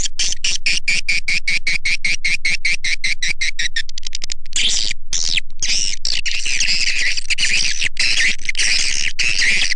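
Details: Swiftlet calling sound used by swiftlet farmers as a lure: a fast series of high chirps that speeds into rapid clicking, then breaks into loud, dense, harsh twittering chatter.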